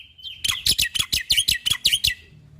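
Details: Black-winged starling, recorded for training caged birds, giving a quick string of about ten harsh, scratchy notes after a thin whistle, delivered in under two seconds.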